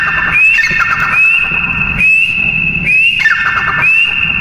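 A partridge gives shrill whistled notes that rise and then hold steady, repeated roughly once a second over a low background rumble.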